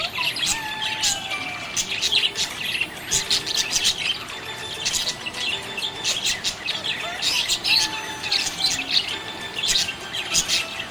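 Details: Budgerigar chirping happily, an ongoing busy warble of sharp high chirps in clustered bursts, a few short whistled notes sliding down, and a faint steady hum in the background.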